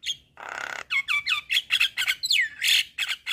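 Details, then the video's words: Javan myna in lively tutor and lure song: an opening rasping squawk, then quick chirps and a long slurred whistle dropping in pitch, ending with another harsh note. "JAlak kebo GAcor Full Isian Masteran Jalak Kebo - PAncingan Semua Jenis Jalak"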